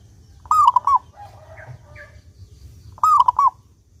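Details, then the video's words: Clear-voiced local zebra dove, played to encourage doves to sing: two cooing phrases two and a half seconds apart, a long level note then two short coos, with quiet chirps from other birds in the gap. "Perkutut Lokal Gacor Suara jernih ini Paling Ahli bikin Pancingan Burung Perkutut Agar rajin Bunyi"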